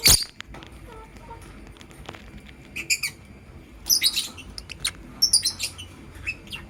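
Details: Lovebirds, a blue opaline and a green personata, chirping in the morning: several bursts of shrill, high, harmonic chirps in quick clusters, separated by short pauses, with soft clicks and low background hum.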